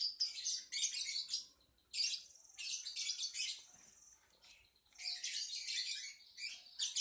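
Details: Lovebird twittering: long, dense runs of harsh, high, buzzy chatter broken by two brief quieter gaps, the song loud and nearly continuous.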